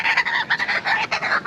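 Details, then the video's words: A trained kookaburra at Croc World, South Africa, laughs in a rapid string of loud, harsh, chuckling notes, about seven or eight pulses a second, rising and falling in a rolling cackle; laughter from people nearby. "Kookaburra LAUGHING!"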